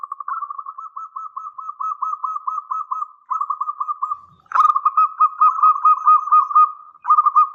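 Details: Energetic local zebra dove singing a long-phrase song used to provoke and tutor other doves. It delivers a continuous chain of quick, evenly repeated cooing pulses, with a brief break and one sharp click midway, then resumes.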